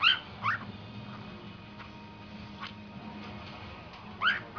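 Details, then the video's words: Domestic cockatiel mimicking its owners' dogs: a few brief, rough bark-like yaps, two close together at the start and one near the end, separated by quiet stretches with faint room hum. "Calopsita - Gorda Imitando meus cachorros"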